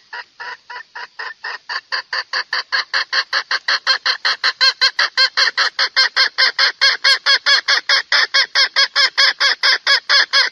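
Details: Red junglefowl sound played to lure male birds into a trap: a long, unbroken series of sharp, squawking clucks, roughly two to three per second, growing louder and shriller as it continues.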